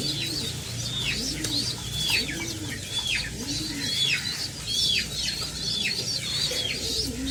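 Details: Parent pigeons feeding their chicks. Rapid, high, downslurred squeaking comes in bursts, with a rounded low coo rising and falling about once a second underneath.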